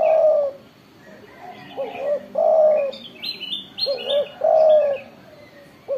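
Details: Spotted dove, a vocal bird with a loud voice, giving low hooting coos, each a short rising note then a longer wavering one, repeated about every two seconds; high chirps of other small birds in between.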